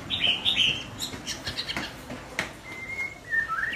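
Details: A juvenile white-rumped shama rehearses its song. Soft twittering notes are followed by thin, drawn-out whistles that dip and then rise near the end, over light background rustles and clicks.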